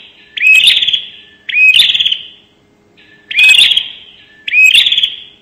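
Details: Four loud phrases of the bar-winged prinia's 'nembak' lure call, about a second apart. Each has a short curled whistle followed by a strong, buzzy high trill with crackles, and a faint low whistle between pairs.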